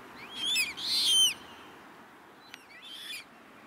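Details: Juvenile common moorhens calling at Rosental pond in Leipzig, August 2024; thin high peeping notes that rise and fall, given in two short bursts with a quieter one later, over steady background hiss.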